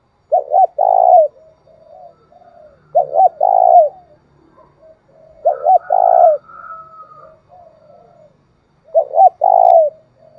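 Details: Spotted dove giving a thúc bổi lure call meant to stir another dove: four cooing phrases roughly every three seconds, each two short hollow notes then a long drawn coo, with soft lower notes between, quiet background.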